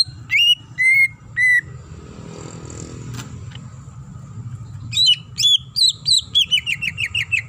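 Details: Greater green leafbird, a female calling the male, singing a varied song: three sharp whistled notes, a pause over low traffic-like hum, then a fast series of bright, slurred whistles dropping in pitch.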